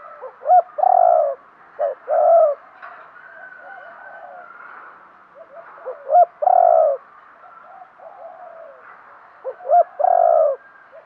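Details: Spotted dove decoy calling to attract wild birds; three separate phrases, each two or three clipped notes running into a loud, hoarse coo, with soft cooing in the gaps.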